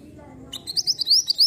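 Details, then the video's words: Mantenan lure song aimed at provoking an answer: after a sharp onset, about eight high, sliding chirps follow quickly within one second over low background hum. "PANCINGAN BUNYI MANTENAN LANGSUNG NYAUT !!"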